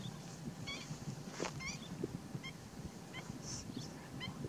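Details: Over-summering juvenile black-faced spoonbills fighting over nest sites, nest material and mates, Tainan, Taiwan, 6 August 2016, trade short, nasal, honking notes in quick, irregular bursts over a steady low rumble.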